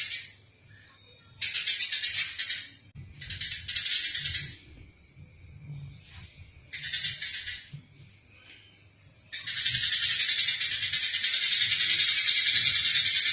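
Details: Eurasian tree sparrow in a fight, kept to train songbirds: short bursts of harsh chatter separated by quiet gaps, then a long unbroken spell of rapid, buzzy chattering to the end.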